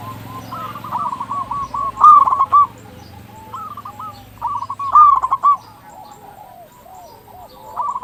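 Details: Vigorous song of a local zebra dove, meant to raise the mood and breeding drive of quiet birds. Rolling phrases of fast pulsed coos come about every three seconds amid a chorus of fainter dove calls.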